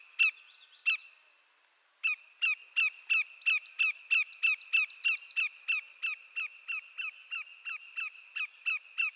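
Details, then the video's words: Greater yellowlegs, a North American shorebird, gives two sharp whistled notes, a short pause, then a long steady run of clear descending 'tew' whistles at about three per second, with a faint continuous high hum behind. "Greater Yellowlegs Sound"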